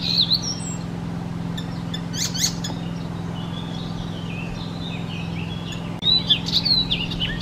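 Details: Icterine warbler, known to mimic the calls and songs of other birds, singing scattered high chirps, sharp squeaks and brief whistled phrases with short gaps, over a steady low mechanical hum.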